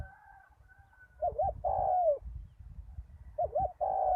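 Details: Decoy spotted dove calling at a ground arena after a storm, with a big voice: two cooing phrases, each a wavy two-part note followed by a drawn-out, slightly falling coo, against low rumbling noise.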